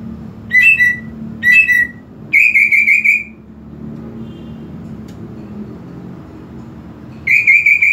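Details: Greater green leafbird whistles aimed at stirring a less aggressive bird: two short slurred whistle phrases, then a quick ringing trill, a long lull with faint hum, and a fresh trill starting near the end.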